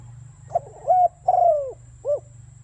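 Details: Spotted dove lure call used for trapping, in the fast, strong 'thúc bổi' style. A single phrase: a short note, two drawn-out slurred coos with the second sliding downward, then a short arched final note. A faint steady high whine and low hum run underneath.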